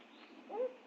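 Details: A Barred Owl in a Georgia backyard in early July 2023, from a family of owls, gives one brief low hooting note that slides up slightly, then holds steady over a soft steady hiss.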